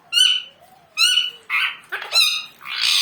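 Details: A pet talking parrot saying "mummu". Five harsh, buzzy, harmonic-rich syllables in quick succession, some squawk-like and some speech-like, with a faint low gliding tone early on.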